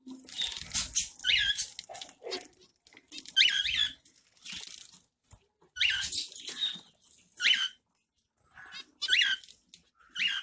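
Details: A captive zebra finch bathing in summer in Pondicherry gives short, nasal, trumpet-like calls in quick irregular bursts.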